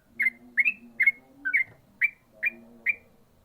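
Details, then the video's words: Seven short bright rising whistles from a yellow-vented bulbul, delivered fairly evenly in ropel fashion about every half second, with faint low humming underneath. "burung trucukan ropel mantap"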